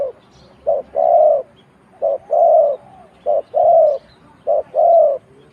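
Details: Spotted dove in Thailand repeating a steady cooing phrase three times, each a clipped short coo followed by a drawn-out mellow one, roughly every one and a quarter seconds, close and clear.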